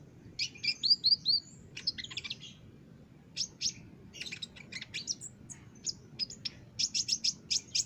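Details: Olive-backed sunbird, caged, master recording for training: a lively series of high chirps and brief twittering trills, with quick descending notes early and repeated sharp bursts toward the end.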